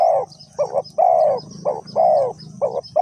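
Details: Spotted dove calling for bird trapping with a decoy in Ninh Thuận: close, loud alternating long and short throaty coos in rapid succession, low rumble behind.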